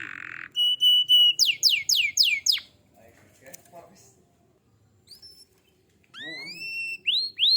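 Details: Canary song in the gacor style, used to prompt other canaries to sing: a buzz and steady whistle, quick downward sweeps, a quiet gap with faint murmuring, then rising whistled slurs.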